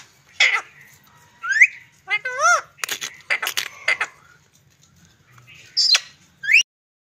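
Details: Green parrot kept as a pet chatters in speech-like syllables: a harsh burst, a rising whistle, a run of wobbling descending notes, several rasping squawks, then a pause before a short sharp call and a final rising whistle.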